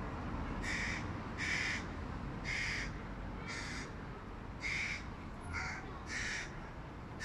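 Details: Hooded crow fledgling, one of three, begging loudly from a tree beside its mother while the first-time father feeds a sibling fish; harsh, raspy caws repeated roughly once a second, eight calls over steady background noise.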